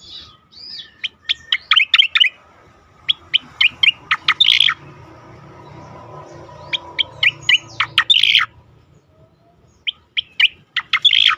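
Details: Striated grassbird delivering a melodious song for songbird training: scattered sharp high chirps grouped into quick runs with brief harsh bursts, separated by pauses, steady faint low hum underneath.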